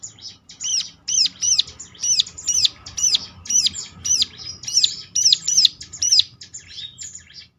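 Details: Bar-winged prinia song used as a lure to provoke other birds of its kind into answering: a quick series of sharp, high arched chirps, each rising then falling, repeated about twice a second with short gaps.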